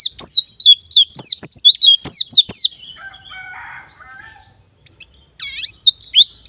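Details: White-eye singing used as a lure toward ngalas and nembak song: an opening burst of piercing chirps and clicks, a lull with a rougher mid-pitched buzz, then renewed twittering.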